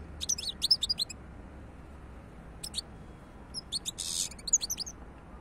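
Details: European goldfinch giving bright, high tinkling twitters in quick bursts, with a short pause mid-clip and a buzzy burst near the end, over a low background hum.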